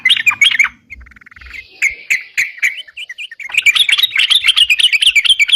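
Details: Sooty-headed bulbul (crucukan) in continuous 'ropalan' singing, used as a lure for catching birds: fast chattering bursts of sharp notes, a brief pause with softer buzzy trills, then a dense run of rapid repeated notes.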